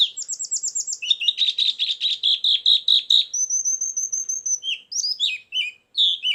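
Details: Trapping lure sound of a white-eye with isian filler: a quick series of high notes drops into a buzzy, rapidly repeated trill, then a long thin steady whistle and scattered sharp chirps.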